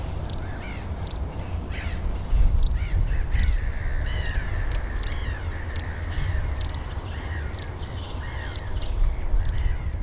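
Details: A white wagtail in Finland in summer, a common bird accustomed to people, gives sharp, high chirping calls about once a second, with a lower harsh note between them, over steady low rumbling background noise.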